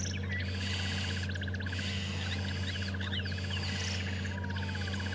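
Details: Burchell's starlings in a tree give harsh, rapid chattering alarm rattles in steady runs for an unknown cause, with other birds calling over a constant engine rumble; morning game drive, Djuma and Arathusa reserves, 19 January 2015.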